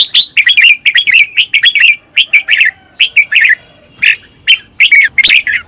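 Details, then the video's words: Red-whiskered bulbul, a decoy bird in song training, pouring out a steady stream of loud, rhythmic chirping notes repeated in quick succession with few pauses. "Cách luyện chào mào mồi - căng lửa| luyện chào mào thành mồi, luyện giọng chào mào hót hay"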